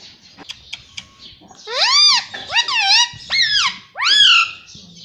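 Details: Pet Indian ringneck parrot talking, saying "mummy papa": shrill, nasal bursts of about four arched, word-like syllables over two and a half seconds, after a few soft clicks.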